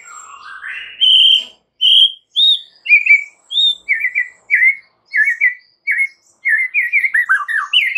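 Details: White-rumped shama lure song to draw a response from other shamas. A rising whistle leads into a quick series of short clear whistled notes, ending in a tumbling flourish.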